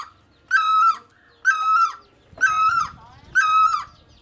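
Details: Great barbet giving four loud, ringing, nasal calls, each about half a second long and slightly downslurred, repeated roughly once a second in a quiet setting.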